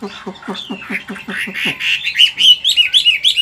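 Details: Wild-caught adult Chinese hwamei in a cage, 'forest voice' singer: a series of low, harsh pulsed notes gives way to bright, high, repeated whistled phrases climbing in intensity.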